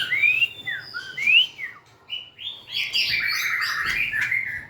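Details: Song of a White-rumped shama: pure rising whistles, a few dropping notes, then a dense, buzzy warbling flourish.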